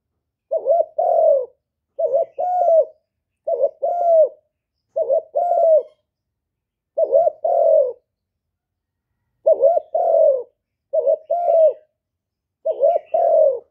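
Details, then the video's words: Vietnamese spotted dove in gọi, thúc and gù styles, used by keepers to make newly caught birds call. Eight low two-part coos, each a quick wavering note then a drawn-out falling coo, repeated about every one and a half seconds, in a quiet setting. "Chim Cu Gáy GỌI+THÚC+GÙ bài bản giúp bổi nhanh nổi, tiếng chim cu gáy việt hay"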